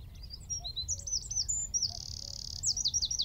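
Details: Eurasian wren singing from a tree at Wicken Fen, about 15 m away, taken with a mobile phone and shotgun mic. Very high, fast notes run into a long buzzing trill, then a quick series of sharp chips.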